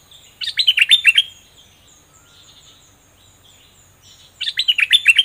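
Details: Bulbul in full adult plumage, caged, sings doubled-style phrases: a burst of rapid chattering whistles, a pause filled with faint soft notes, then another lively burst.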